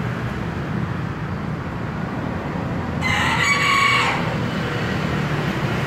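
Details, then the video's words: After a few seconds of low rumble, a single strident, buzzy crow from a green junglefowl rings out for about a second, followed by the continuing hum. "ayam hutan hijau berkokok"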